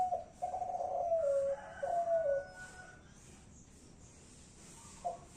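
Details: ['Spotted dove of the Kelantan type cooing: a few low, hollow coos, the second drawn out and falling, then a pause and one short coo near the end, in a quiet indoor space.']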